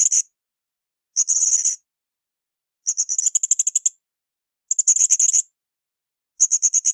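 Blue-crowned hanging parrot giving very high, thin, rapid trilled bursts of about half a second to a second, repeated every one to two seconds, with silence between.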